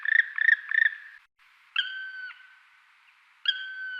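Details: Black woodpecker (Dryocopus martius), calls.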